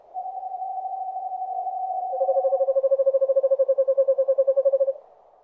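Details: Eastern Screech-Owl (Megascops asio) in a forest, giving a long, steady, mellow tremolo, then a lower, even trill of rapid notes, about three per second, all quiet and hollow.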